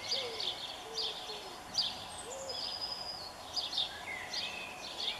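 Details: On 7 May 2021, at a Eurasian eagle-owl nest on a townhouse in Germany holding a mother and three chicks, come a few short, low, bending hoots with repeated breathy, hissing bursts above, while thin whistles from other birds come and go.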